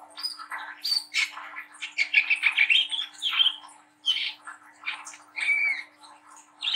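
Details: Brown-throated sunbird, a young spotted bird singing as a lure for other young birds: fast run of rasping, scratchy notes with occasional clear high whistled slurs, briefly pausing midway.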